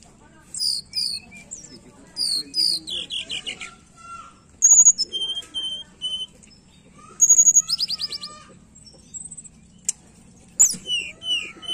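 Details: Tledekan song played to make a reluctant bird sing: varied high slurred phrases, sharp trills and steady whistles spaced over several seconds, with a quiet background hum.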